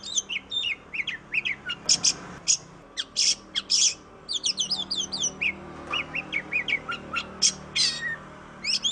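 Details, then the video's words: Kacer or oriental magpie-robin, a black-and-white songbird: long varied song mixing quick whistled slurs, trilled runs and several loud harsh squawky bursts, continuing steadily for nearly nine seconds. "KICAU BURUNG KACER YANG MERDU || MAGPIE ROBIN VOICE"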